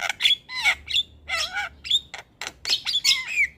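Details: Javan myna (jalak kebo), a song used to stimulate a lazy bird to sing: a busy mix of harsh squawks, whistled notes and wavering slurred phrases in quick succession.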